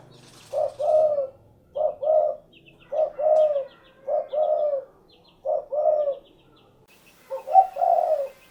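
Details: Spotted dove, locally derkuku, calling a steady series of about six short two-note coos, each a clipped note and a slightly longer rolling one, spaced a little over a second apart, with faint high twitters behind.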